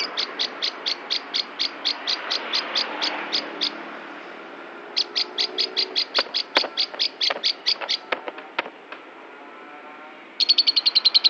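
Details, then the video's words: Agitated lovebird, head-shaking and raging, gives bursts of sharp high chirps repeated about seven times a second. The bursts are broken by a pause and some clicking notes, then a faster, higher run of chirps. "kicau burung lovebird gedek ngamuk"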